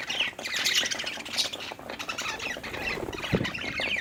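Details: Several happy budgerigars chirping while playing: a busy chatter of warbling notes, short squawks and clicks overlapping throughout, with a low thump near the end.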